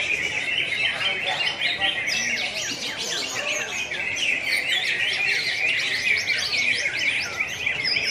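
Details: ['Greater green leafbirds at a national singing competition in Pontianak, West Kalimantan, 3 April 2016, sing at once in class A, producing steady, busy high chirping and rippling trills over quiet background talk.']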